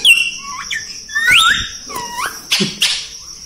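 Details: Talking parrots at a bird market in Karachi, Pakistan, facing each other: whistled, sliding tones rising and falling between squawky bursts, with a buzzy harsh note near the end and light background noise.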